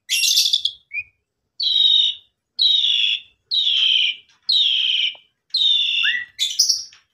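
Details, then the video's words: Caged Asian pied starling, recorded as a lure to restore singing after being left alone during a holiday trip; loud harsh buzzy notes repeated about once a second, with a brief rising whistle near the end. "Pancingan Jalak Suren Abis Mudik Lebaran"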